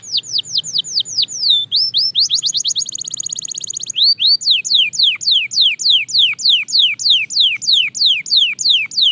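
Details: Belgian canary in singing practice, fast-tempo song: rapid series of falling whistled sweeps, then a buzzy trill and a high steady rattle, followed by more regular descending slurred notes about three per second.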